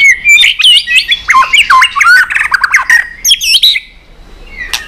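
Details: White-rumped shama in intense competition song with tail flicking: a dense run of quick warbling whistles, sharp upslurs and chattering notes, fading into quiet near the end.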